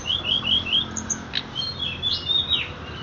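Horsfield's bush lark song: a quick run of high, thin chirps and short slurred whistles, varied and rising and falling, delivered rapidly over a faint low hum.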